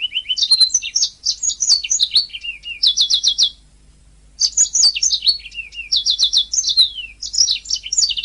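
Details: Canary song as a master recording for songbird training: nearly continuous high warbling with repeated rapid trill bursts of four or five notes, one brief pause mid-way.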